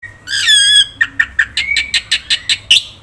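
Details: Black-winged myna in full 'gacor' song, used as a lure and tutor for captive birds: a harsh, rising harmonic screech, then a rapid run of about ten sharp, clipped chirps with a thin whistled note underneath.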